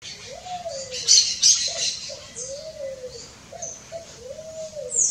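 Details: Wild pale-vented pigeon singing: low, arched cooing notes, some short and paired, others long and swelling then falling, repeated several times. High chirps and buzzy calls from other birds or insects fill the background.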